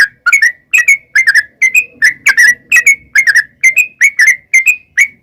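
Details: Sooty-headed bulbul song used as a lure to make wild birds answer: fast repeated bubbly whistled phrases around two kilohertz, each a short chuckling burst, about two or three per second with brief gaps.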